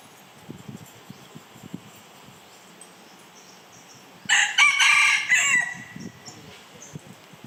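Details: A single strident crow from a Red junglefowl, harsh and clipped, about one and a half seconds long. Faint low knocks and rustles can be heard before and after.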